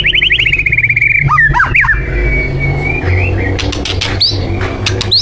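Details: Borneo white-rumped shama in full song, used as a lure to set other birds singing: a fast descending series of whistled notes, then rich slurred phrases and sharp high notes, over steady low traffic-like rumble.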